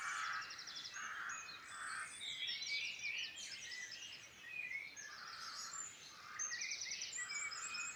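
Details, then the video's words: Dense Irish Midlands birdsong, with loud repeated trilled phrases, rich warbling and scattered high whistles from many birds singing together against a faint hiss. "Beautiful birdsong in Ireland Midland"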